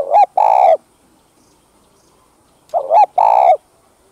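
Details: Spotted dove (cu gáy, cu đất) cooing, used to stimulate doves: two loud coo phrases about 2.7 seconds apart, each a short rising-falling note followed by a longer, steady, hoarse coo.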